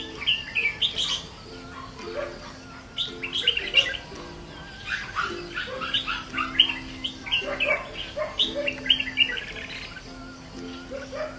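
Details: Red-whiskered bulbul, white-cheeked form, from decoy and fighting bird keeping, in vigorous 'ché' singing: bursts of quick, warbled whistled phrases, loud and chattering, over steady low background music tones.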